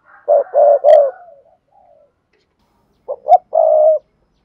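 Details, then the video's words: Vigorous urging cooing from a spotted dove, used to provoke decoy birds: three quick hollow coos, a soft tail, a pause, then two short hoots and a longer level coo. "Tiếng chim cu gáy thúc gù sung"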